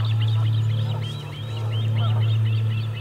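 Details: Ospreys at the Charlo nest on 8 August 2020, as a parent arrives without fish: rapid, high, arching chirps in quick overlapping series over a steady low hum.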